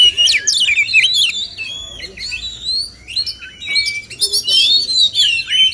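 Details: Singing contest between male oriental magpie-robins to encourage steady song and mimicked phrases; fast, varied whistles and sharp chirps, some sliding upward, delivered in quick bursts with short pauses.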